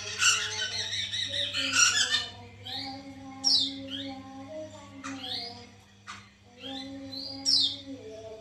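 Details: Caged white-crested laughingthrush used as a singing stimulus: loud, rich chattering phrases at the start, then clear rising and falling whistled notes spaced a second or two apart, with low hum underneath.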